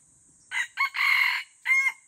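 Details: Red junglefowl in the forest crowing: a short, harsh crow in four bursts, the third drawn out longest, over about a second and a half, with a steady high hiss throughout the background.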